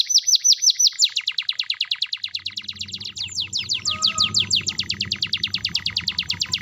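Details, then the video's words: Vigorous canary song to spur silent canaries into singing: rapid repeated high downslurred notes throughout, with a soft low murmur of background noise beneath from midway. "sekali putar suara burung kenari gacor ini di jamin bakalan nyaut bunyi"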